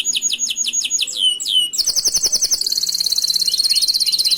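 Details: Canary singing a master song meant for training other canaries: a series of high, downward-sweeping whistles gives way to a long, rapid, buzzy trill that stays high and continuous to the end.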